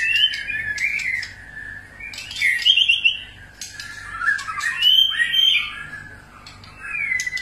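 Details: White-rumped shama in many-voiced song, meant to prompt other shamas to sing: loud rising and falling whistled phrases arrive in bursts about every two seconds, with quieter gaps and crisp ticking notes between them.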